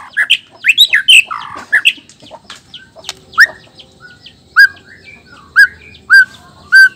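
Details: Male white-rumped shama of the black-tailed Nias type, singing to provoke other males into song; fast varied whistled and chattering phrases, then loud slurred whistled notes repeated about once a second.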